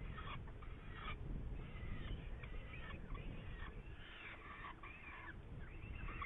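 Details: Hungarian Saker falcon with prey, recorded 8 May 2019: scattered harsh calls, a few long and wavering, others brief and sharp, spaced irregularly against loud low background noise.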